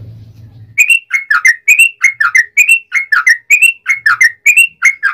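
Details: Yellow-vented bulbul pouring out its long 'ropel panjang' song, meant to spur other bulbuls to sing: after a brief low rumble, clear bubbling whistled phrases follow one another rapidly and evenly to the end.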